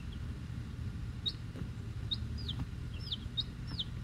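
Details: Brood of week-old chickens, Rhode Island Reds and Black Sumatras with one mystery chick: scattered shrill, falling peeps, about two per second, some overlapping, above a constant low rumbling hum.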